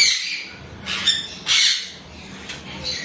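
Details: Harsh, raspy squawks from a male severe (chestnut-fronted) macaw with his mate, in three short bursts about a second apart, over a steady high hiss of background chatter.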